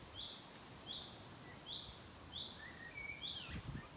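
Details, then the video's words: Common chaffinch giving its call note, a short bright call about every 0.8 seconds, on 12 June 2023 at Mingen, Njurunda, Sweden. It calls first and then ends with a song strophe. Softer chirps from other birds and a brief low rumble near the end. "Bofink locklätet"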